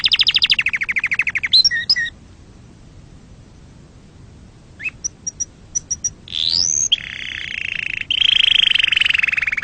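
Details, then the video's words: A canary sings to excite other birds and teach chicks: a rolling trill and quick chirps, a short pause, then scattered high clicks, a rising whistle and a sustained buzzy trill. "صوت تغريد عصفور الكناري لتهييج طيورك وتعليم الفراخ"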